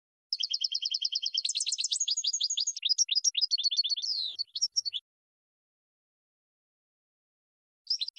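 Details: European goldfinch maestro song, a tutor recording for birds to learn from: rapid twittering trills, a fast buzzy run of repeated high notes, then jumbled liquid phrases. The bird goes quiet after about five seconds and one short burst follows.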